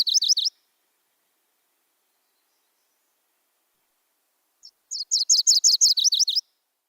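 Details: MacGillivray's Warbler, found by water east of the Cascade crest in Washington, sings a high, rapid two-part song: a burst of sharp chips, then a quick run of repeated notes, like 'cheetah turtle turtle turtle'.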